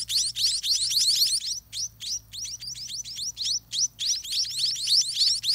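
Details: Begging by munia chicks in a messy nest during feeding: clusters of rapid, high rising chirps broken by short pauses, then resuming in quick pulses.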